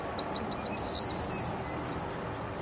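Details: A corn bunting (Emberiza calandra) singing at 19:00 on 23 May 2022 in the Rheindürkheimer Spieß reserve, Worms, gives spaced ticking notes that speed into a high, dry, jangling rattle of about 1.5 seconds, like shaken keys.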